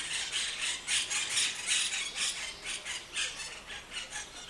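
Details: Monk parakeet in Rome, Italy: rhythmic bursts of grating, rasping screeches repeated about twice a second, each note broad and harsh, steady throughout with a quiet background.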